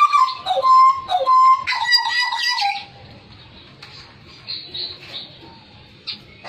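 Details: Hooded butcherbird from Papua singing hard, said to sing until coughing: loud fluting whistles in short repeated phrases over about three seconds, followed by near quiet with faint distant notes.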